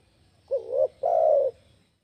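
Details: Spotted dove calling to lure other birds: two low, mellow coos, the first short with a slight wavering rise, the second longer and steady, over faint low background hum.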